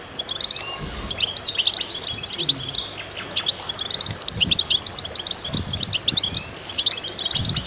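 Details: A chorus of goldfinches in concert, many birds twittering at once in bright, jingling phrases of rapid high chirps, steady and unbroken, with a few soft low thumps underneath.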